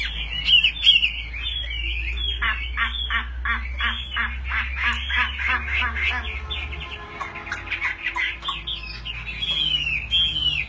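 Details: Fighting Chinese hwamei in full song while displaying with fanned, raised wings: tumbling whistles and dense rapid chattering notes, ending in clear slurred whistles, with a low steady hum behind.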